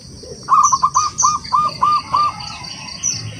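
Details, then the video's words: Local wild zebra dove singing to challenge rivals: a clean phrase of about seven spaced, rounded coo notes, steady in pitch, against a backdrop of high chirping from other birds. "Perkutut lokal alam gacor, suara memanggil lawan untuk bunyi"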